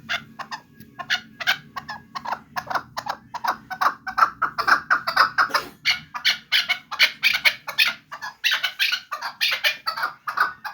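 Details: Chukar partridge of Vanj giving a long series of short, harsh chuk notes, irregularly spaced and growing louder and denser toward the middle and end, with a low steady hum underneath.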